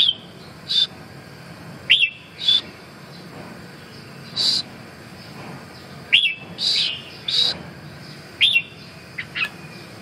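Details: Red-whiskered bulbul repeating loud whistled notes and chirps in spaced clusters about every one to two seconds, bright and slurred, accompanied by occasional sharp clicking sounds.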